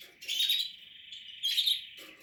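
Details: Portuguese harlequin canary, nest building, sings two loud bright warbled bursts joined by a steady high tone.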